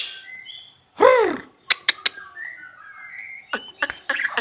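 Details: White-rumped shama singing in full voice, its song packed with imitations of wild animal sounds: a loud arched whistle, sharp clicking notes and thin rising whistles, with a short spoken line nearby.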